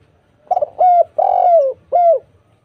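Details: Spotted dove lure song meant to make other doves answer: a stuttered low opening, then three mellow coos, the middle one long and gently falling, clean and loud with no other sounds.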